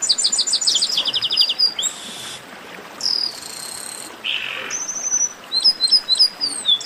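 Chestnut-capped blackbird song: very high, rapid chip series, then buzzy notes and short sweeping whistles, about three to four notes a second, over faint background hiss.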